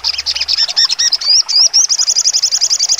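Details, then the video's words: Sogon songbird's sharp 'trotol' song for training contest birds: jumbled high chirps and short upswept whistles give way to a steady, rapid stream of piercing, evenly spaced notes. "sogon trotol full nembak tajam"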